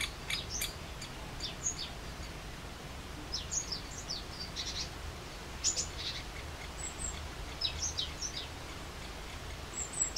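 Great spotted woodpecker giving short, sharp, high 'kik' notes at an irregular pace, sometimes in quick clusters, over a low rumble of background noise.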